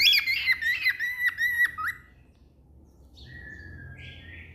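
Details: A pet cockatiel sings a loud run of warbled, chirping whistles that ends in a long, steady whistled note.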